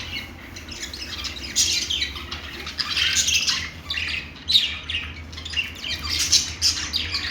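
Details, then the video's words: Budgie chatter: harsh, buzzy squawks and high twittering notes in uneven bursts from these Australian parrots, with a low background hum throughout. "parakeet chirping sounds |Australian parrot|bajri totay ki awaz"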